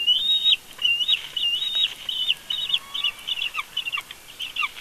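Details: Bald eagle calling during a family conflict at the Big Bear nest, captured on a live nest cam: a fast, continuous series of high, chittering whistled notes, slightly falling toward the end, with occasional soft lower chirps.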